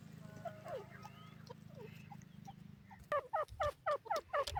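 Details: A partridge (francolin, teetar) gives a rapid run of about eight harsh, loud notes, each a quick downward-then-upward squeal, after fainter calls over a low hum.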